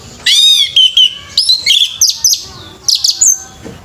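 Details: Loud song of an orange-headed thrush at a bird singing competition: a ringing, wavering whistle opens, then comes a run of quick, high, scratchy phrases and sharp chirps.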